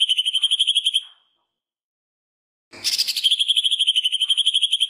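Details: A greater green leafbird, recorded as a master for training other birds, gives a fast, even trill of high, sharp notes, about a dozen a second, copying a woodpecker's call. It breaks off briefly with a harsh burst, then resumes.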